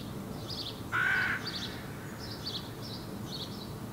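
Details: A young hooded crow out of the nest, on the ground in Helsinki, Finland, in July 2017, gives one harsh drawn-out rasping call amid repeated faint high twittering from other birds.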